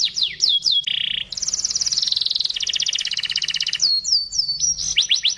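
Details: Master-training canary song in a rich, crystal-toned style: quick descending slurs, a level buzzy note, then long rapid trills changing pitch, ending in bright repeated downslurs.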